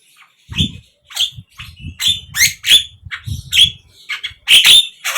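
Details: Javan myna lure song for captive birds: harsh squawks and squeaky whistled notes over low thumping background noise.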